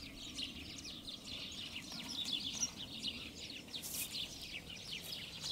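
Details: House sparrows gathered in a beech hedge at de Donk in the Alblasserwaard countryside, filmed with a compact Sony Cybershot camera: dense overlapping high chirps and tweets from many birds, steady and continuous, over a low rural background rumble.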